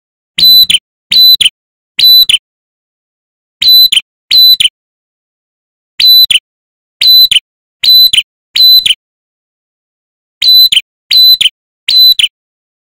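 Ashy tailorbird song: loud, high, sharp notes in quick groups of two to four, each group separated by a pause of about a second.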